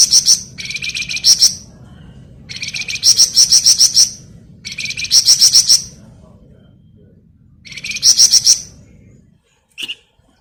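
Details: Flamboyan bird singing vigorously in ngebren style, used for masteran tutoring of other songbirds: dense high, buzzy trilled bursts of about one second, with a brief lower note before some, repeated every two to three seconds over a low rumbling hum.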